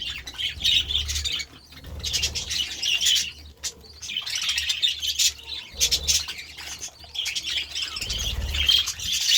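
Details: A flock of budgerigars excited over vegetables gives bursts of high chirping and warbling chatter, each burst lasting about two seconds, with soft fluttering and low thumps between.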